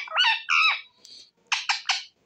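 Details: A pet talking rose-ringed (ringneck) parakeet, amid Hindi chat with its owner, utters two harsh, nasal, speech-like phrases, then three quick raspy notes in a rapid burst; nothing else is heard.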